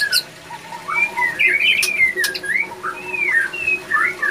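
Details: White-rumped shama male in breeding condition; soft whistled phrases sliding up and down, interspersed with short chips and a few sharp clicks.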